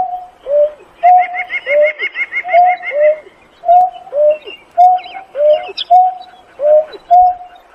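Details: Painted-snipe calling the flock: clear mid-pitched whistled hoots, each level note followed by a lower dipping note, repeated steadily almost once a second, with higher trilling chirps from other birds behind.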